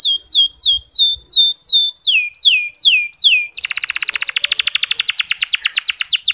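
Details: Canary singing 'ngeriwik' style, as a lure for unenthusiastic male canaries: a series of slow swooping whistles, then an abrupt switch to a dense, rapid, buzzy trill.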